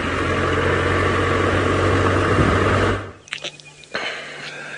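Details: A vehicle engine rumbles loudly, then cuts out, leaving a few faint knocks and clicks with no animal calls.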